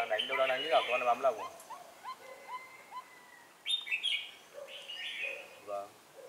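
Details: Red-whiskered bulbul used as a decoy during trapping, 4 December 2016, sliding trap: a man speaks at first, then short bright whistled notes and chirps come in scattered bursts, some rising, with quiet gaps between them.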